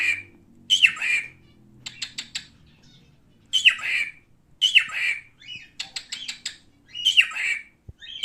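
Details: Male cockatiel alternating grating, arching squawks with quick trains of dry clicking notes, about five loud calls spread over eight seconds amid a soft indoor hum.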